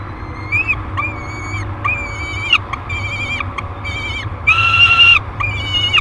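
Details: Nest-cam recording of a 30-day-old peregrine falcon chick at Great Spirit Bluff, 1 July 2021: seven fairly quick harmonic wails in six seconds, softer at first, with one longer, louder wail near the end, over faint hum.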